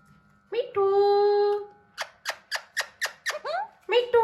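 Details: Young hand-tame Alexandrine parakeet trying to talk indoors: a long, steady, tonal drawn-out note, followed by a rapid burst of seven clipped, harsh squawks and a final wavering harmonic call over low hum.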